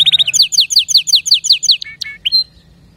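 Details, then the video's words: Short burst of canary song: a string of about a dozen quick, evenly spaced falling whistles, then a few sliding notes and a final clear high note. "اذا كناريك ما تغير في ضرف دقيقة اطلقو وبلاش تربي كناري"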